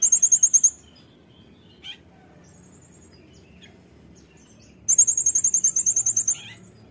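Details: Brown-throated sunbird in a cage, song for tutoring: a short burst of high, fast, piercing notes, quiet pause with a single chirp, then a longer run of about sixteen rapid repeated notes.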